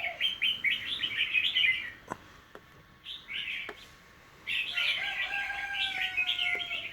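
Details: Household bird, 10 December 2020: lively chattering twitter, a quieter gap broken by a few clicks and short notes, then a longer burst of rapid chirps with a thin, sustained whistled tone beneath.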